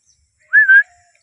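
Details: A green ringneck parrot gives one short whistled call, a bright, slightly wavering note lasting about a third of a second, with a faint lower tone trailing after it and quiet all around.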